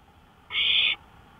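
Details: A single rasping, hissy owl screech about half a second long, recorded on a porch at 1:53 AM, May 5, 2013, in otherwise quiet surroundings.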